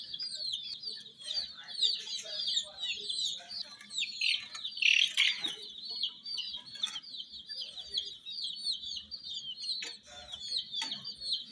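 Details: A crowd of hen chicks chirping without pause around miniature jeep toys, high thin peeps overlapping into a steady shrill chorus, with light scratching and tapping underneath.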